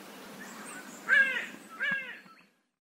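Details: Two low, harsh caws from a raven of the Australia, Oceania and Southeast Asia region, the second slightly softer. Faint background hiss is heard before the recording falls silent.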